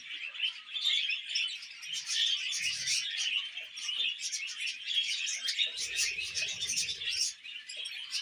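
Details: Baby budgerigar, a tame pet bird being spoon-fed, giving continuous high chattering chirps and squeaky tweets, busy and unbroken, with soft low thumps of handling underneath.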